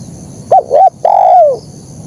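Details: Spotted dove singing in the 'kuk 1' style: two short clipped coos followed by one long, drawn-out coo that slides downward at the end. Faint background hiss.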